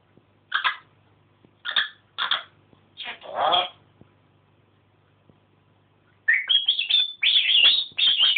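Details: Pet African grey parrot indoors chatting: four short harsh speech-like syllables, then a dense run of high squeaky chirps and whistled notes repeated rapidly for about two seconds.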